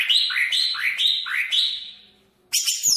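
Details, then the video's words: Greater green leafbird of the Banyuwangi type singing a run of rising, slurred whistles repeated about twice a second, fading out, then a sudden burst of sharp, high, buzzy notes. "Suara Burung Cucak Ijo Banyuwangi variasi 1"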